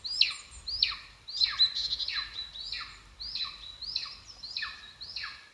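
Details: Shrill descending squeals, about nine in steady sequence, come from a golden eagle at its Estonian nest, recorded in 2022 by a live stream camera; faint low background rumble.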